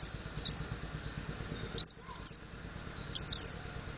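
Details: Mountain white-eye learning to sing in the ngriwik and ngeplong styles: high, thin, descending whistled notes in short bursts, spaced irregularly, over a faint steady low hum.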